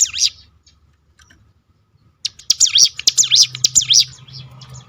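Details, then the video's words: Hill prinia, used to provoke other birds into singing: after two quiet seconds a rapid run of high, sharp, swooping notes, each dipping and rising, repeats almost twice a second, with a low hum underneath. "roll tembakan ciblek gunung memancing bunyi burung lain"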